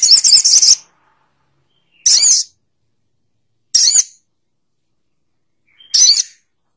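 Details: Little spiderhunter uttering loud, piercing, high-pitched chattering notes in four separate bursts, each under a second long and spaced roughly two seconds apart, against silence.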